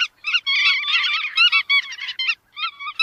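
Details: Chắt đuôi vằn in a brief dense burst of overlapping nasal notes, followed by a pause and a few separate calls.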